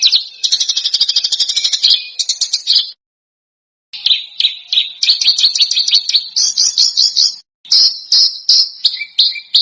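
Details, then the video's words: Masteran for contest birds, dense and harsh with sharp bursts. Long phrases of grating, rapid, high trills and piercing notes are separated by a silent pause of about a second and a shorter break. "Masteran Burung Lomba JERITAN RAPAT DAN KASAR FULL TEMBAKAN TAJAM"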